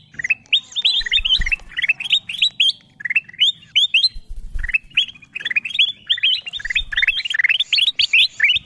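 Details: Golden bulbul call used as a lure to draw wild birds down, known locally as kutilang emas: dense runs of bright chirpy notes sliding and rising, in fast bursts with short pauses, plus occasional low thuds.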